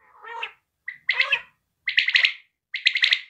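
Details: A quail gives three phrases of clipped, rapid notes about a second apart, after an opening softer, lower, drawn-out note.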